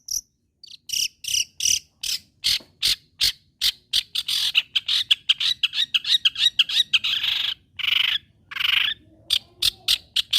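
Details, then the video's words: Singing long-tailed shrike, used to provoke other shrikes into continuing to sing: a rapid run of sharp, clipped high notes repeated nearly without pause, breaking into a harsher, buzzy scratchy stretch midway, then more crisp strokes. "CENDET GACOR PERANGSANG BUNYI MEMANCING CENDET LAIN AGAR TETAP BUNYI"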